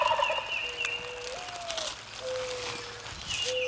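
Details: Wild Turkey tom gobbling off the roost in Maryland public woodland during a hunt; a brief rattling gobble opens the recording, followed by long, steady low whistles and high chirps from other birds.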